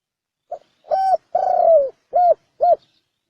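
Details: Thổ sấm đồng coo of a spotted dove, used to lure males, females and wild birds; a short pip, one hoot, a long slightly falling coo, then two clipped hoots, clean with no other sounds.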